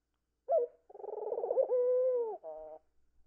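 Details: Pet Indian ringneck parakeet wanting attention, wings twitching, cooing: a short hoot, then a pulsing warble that smooths into a long steady tone, ending with a short reedy note, in a quiet room.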